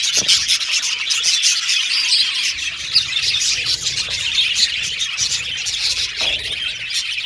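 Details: Australian budgies kept as pets whistle and chatter in a crowded, unbroken warble, with short sharp chirps rising above the mass.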